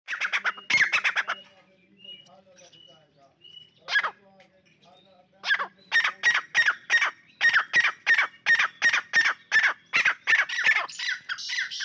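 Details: Southern partridges fighting, calls matched against each other: a rapid series of harsh, clipped call bursts repeated about three times a second, with a steady low hum and a few quieter squeaks in between.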